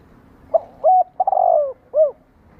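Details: Single spotted dove phrase used to provoke captive doves: a soft note, a level coo, a stuttering rolling coo drawn out, then a final rounded coo, over low background hiss.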